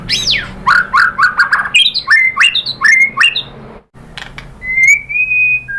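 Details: Song of a white-rumped shama, used to provoke other shamas: a downward sweep, rapid clipped notes, a run of repeated upslurred whistles, a short gap, then one long steady whistle.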